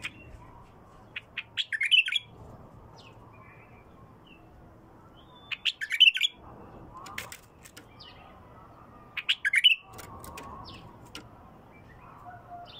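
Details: Bulbul with a pure, raw voice, repeating a short, loud phrase of chirping, rising and falling notes about every four seconds, three times, with quiet pauses between.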